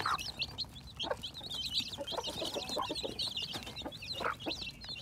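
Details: Chicks hatching in spring 2021, a busy mass of high thin peeps from several chicks together, with a few lower clucking notes and a steady low hum.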